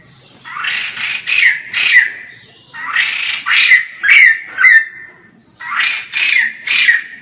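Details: White-crested laughingthrush chattering: three bouts of loud, harsh notes, each a tight cluster of three or four raspy calls with a ringing edge, separated by short pauses.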